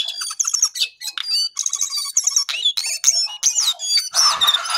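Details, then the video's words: A brown Lesser Shortwing singing actively: a rapid, high, sweet jumble of whistled and twittering notes in short bursts, with brief pauses between phrases. "Jongkangan/Cingcoang coklat paling gacor"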